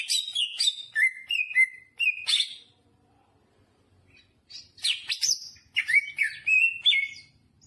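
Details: Greater green leafbird in animated song mixed with jamtrok phrases: quick downward whistles, a quiet gap over faint rumble, then a fresh torrent of sharp chips and sliding notes.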